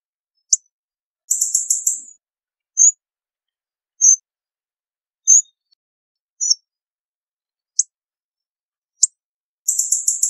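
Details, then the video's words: Hawfinch giving stuttering rattles of rapid high notes at start and end, with short high tick and tseep calls spaced about a second apart between them; no other sounds. "Hawfinch Song! Hawfinch Call! Hawfinch Sound! - Picogordo Común Canto"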